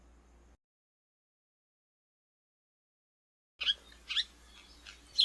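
House Sparrow giving about five bright, sharp chirps in under two seconds after a silent pause, with faint background hiss.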